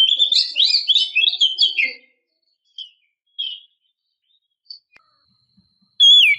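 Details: A female oriental magpie-robin calls to draw in a male, with a dense run of quick warbled, twisting whistles for two seconds, then scattered short notes amid silence and a final loud swooping whistle.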